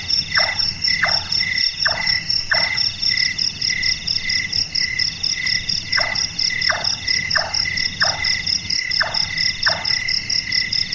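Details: Series of about eleven wooden, tapping chonk calls from a large-tailed nightjar, a nocturnal bird whose voice is likened to carpentry. The notes come in runs with brief pauses, and a constant high-pitched insect drone fills the background.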